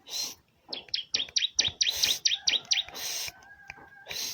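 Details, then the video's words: Bar-winged prinia song: a rapid run of about ten sharp, high, V-shaped chirps, framed by hissing bursts, with a faint low hum afterwards. "BURUNG CIBLEK Mu bakal ..langsung ikutan bunyi"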